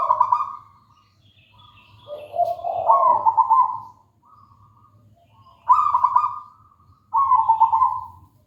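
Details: Local wild-type zebra dove singing repeatedly: several mellow, rolling cooing phrases of varying length, some dipping lower in pitch, separated by short pauses, over a faint low background hum.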